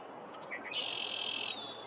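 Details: Red-winged blackbird giving a short, high buzzy call: a pair of brief lower notes, then a harsh, even buzz lasting nearly a second, with faint thin whistling from other birds behind.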